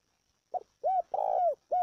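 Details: Spotted dove calling to rouse birds and train a young decoy: a short clipped note, then three arched, hollow coos, the middle one longest and slightly rough, each rising and falling in pitch.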